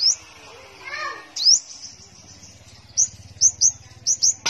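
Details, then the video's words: Caged five-coloured sunbird kept in Tân Phú, Đồng Nai, Vietnam, singing busily: very high, thin, sharply slurred chirps in quick bursts of two or three, with a brief human voice early on and a low steady hum underneath. "Chim Hút Mật 5 Màu Hót Líu"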